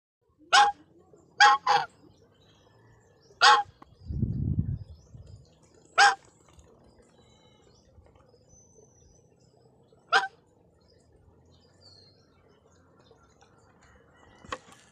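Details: A farm goose gives six loud, harsh, nasal honks, singly or in quick pairs, spaced irregularly over fifteen seconds; a brief low thump or rumble sounds midway.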